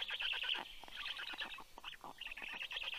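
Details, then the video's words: Black stork chicks growling as a parent returns home with fish, 9:56 AM on 11 June 2022; short harsh rasping bursts, pulsed and buzzy, run together with brief dips. "Storklets are growling!"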